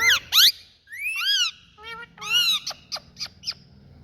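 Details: Pet Indian ringneck parrots calling loudly: harsh screeches, rising and falling nasal squawks and a few short sharp notes, each lasting under a second, with low background rumble.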